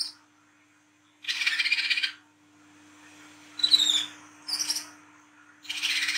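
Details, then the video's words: Recorded at night as a sunbird lure, an Olive-backed sunbird alternates harsh, buzzy chatter bursts with high thin squeaky slurred notes, phrases spaced a couple of seconds apart, steady faint hum throughout. "KOLIBRI KELAPA WICEH TROTOL GACOR NGRIWIK NGLAGU MENTAL JAHAT"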